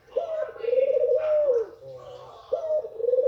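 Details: Barbary dove, a white female, calling so males become aroused: a long trilling coo of over a second that drops at its end, then a fresh coo starting with a quick rising note.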